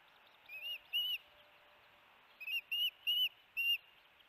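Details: Sparse high whistled notes at the Hellgate osprey nest, June 13, 2018, during a fish delivery: two chirps, a silence of over a second, then four more spaced chirps, all fairly quiet.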